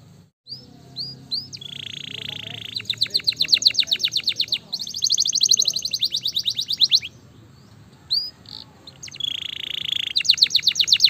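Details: Gloster canary fighter bird delivering short whistles, buzzy rolled trills and fast clicking runs in bursts separated by quieter gaps; low rumble and faint background noise beneath the song.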